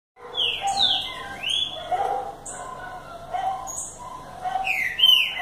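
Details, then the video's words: Green-winged saltator singing in the BDSCB song style: loud, clear whistled notes slurring down and up, several linked phrases over five seconds, with softer lower tones beneath. "BDSCB cantando com estilo"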